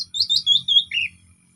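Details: Orange-headed thrush giving a relaxed song meant to coax silent thrushes into singing: a quick run of five clear whistled notes that step downward in pitch, ending on a lower slurred note, with a faint low hum beneath.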